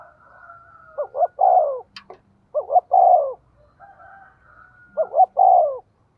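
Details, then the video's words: Spotted dove decoy pushing a quick cooing rhythm to make wild doves call: three phrases of two brief hoots and a longer falling note about two seconds apart, one sharp click, and faint thin whistles between. "Chim Cu Mồi thúc tốc độ có kèm nghe cực hay, bổi nghe phát gáy luân"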